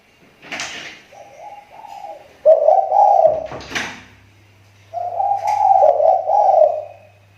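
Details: Lure-bird spotted dove from Riau Islands, Indonesia, cooing in soft stepped notes that lead into two louder drawn-out hollow phrases, broken by a sharp rustle or knock in the middle, over a low electrical hum.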